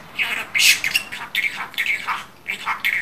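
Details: Pet budgerigar talking in quick, gravelly, speech-like bursts with a few rising and falling squeaky notes, about six phrases in three seconds.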